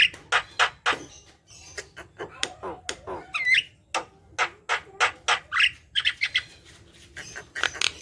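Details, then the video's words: Chatty, lively Javan myna song used to prompt other mynas that sing little: a rapid jumble of harsh clicks and rasping notes, broken by a short wavering whistle midway and a rising squeal later. "Jalak kebo gacor | pancingan jalak kebo malas bunyi"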